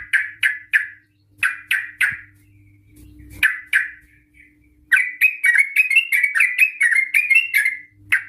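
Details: Yellow-vented bulbul (trucuk), described as a lively female used as a lure to make other trucuk sing. Bursts of harsh, bubbly chattering notes come in quick groups and then a longer rapid run, with a faint steady hum and low rumble behind.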